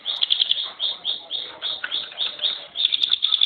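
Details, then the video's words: Mountain prinia kept as a contest songbird, pouring out quick, rhythmic clusters of sharp high buzzy notes, each burst swelling and fading several times per second. "TEMBAKAN SUPER RAPAT..!!! CIBLEKPINUS GACOR"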